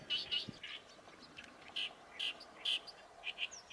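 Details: An Oriental reed warbler sings loudly and close: strident, grating notes, some doubled, spaced by short pauses, in an otherwise quiet setting.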